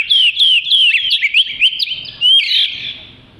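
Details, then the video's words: Oriental magpie-robin song used as tutor material: rapid strings of sharp, upswept whistles and chattering notes, several per second, ending in a louder buzzy flourish that fades away. "Burung Kacer Merdu Untuk Isian"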